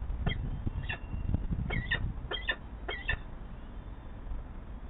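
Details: Two Peregrine Falcon chicks at a Nottingham nest, watched by a nest camera on 7 May 2022, beg as the female feeds them: short, thin, squealing calls in tight clusters of two or three, over a low steady rumble.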